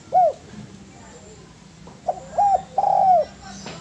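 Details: Spotted dove voice for training birds: an isolated low coo, a quiet pause, then a stuttered phrase of two brief coos and a long, steady, falling croo.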